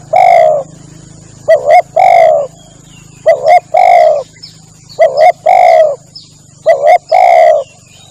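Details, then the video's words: Spotted dove cooing used as a hunting lure: long mellow coos alternating with quick double notes, repeated steadily every two seconds or so, with a continuous low hum and high-pitched whine in the background. "SUARA PIKAT BURUNG TEKUKUR PALING AMPUH"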